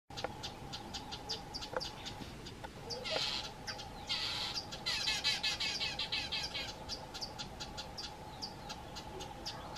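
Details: A female Amethyst sunbird scolds a pair of fork-tailed drongos that came too close to her nest, firing sharp, high chips nearly three a second, with harsher buzzy bursts midway and a steady low hum beneath.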